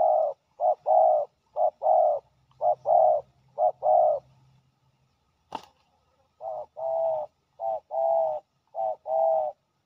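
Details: Territorial male spotted dove, a fierce local owner drawn to a ground decoy, giving repeated soft hollow coos in short and longer notes. A sharp click interrupts the sequence midway, and a low hum runs through the first half.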